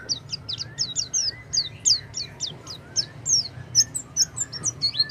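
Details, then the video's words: Oriental white-eye singing, used to encourage a silent white-eye to start: quick high chirps falling in pitch, steadily repeated, with occasional soft rising lower whistles. "pancingan pleci macet bunyi dengan suara ini"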